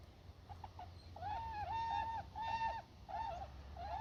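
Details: Wild Tundra Swans flying in at Church Slough, Montana, whose call is higher pitched than the trumpeter swan's. Clear, clipped, slightly nasal whoops, some bending down and up, come in short bursts over a steady low rumble of background noise.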